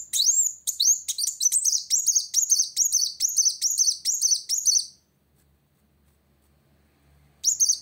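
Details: Van Hasselt's sunbird singing hard at a rival: a rapid, steady series of about fifteen thin, high rising chips over five seconds, then silence before one more shrill note begins.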